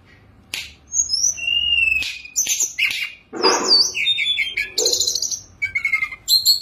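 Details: Perched caged Sunda robin delivering full song with rich fill-ins. Sharp clicks and a long level whistle lead into varied warbled notes, rasping bursts and high sliding whistles.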